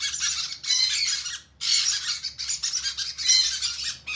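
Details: Hand-fed conure chicks beg with loud, raspy, broadband squawks in quick pulsing bursts, a brief gap near the middle, steady low hum underneath.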